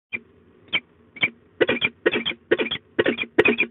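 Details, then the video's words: Female peregrine falcon scolding at De Mortel on 15 March 2022 at 13:40, the male joining in. A few harsh single notes give way to rasping groups of three or four kek notes about every half second, over a low steady hum. "Slechtvalken De Mortel V ruim 10 minuten schelden, M helpt mee"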